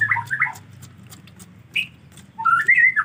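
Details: White-rumped shama in the rainy season, when bathing is hard: short whistled phrases around mid pitch, a quick warbled opening, a pause with low background hum, then a bright rising whistled run at the end.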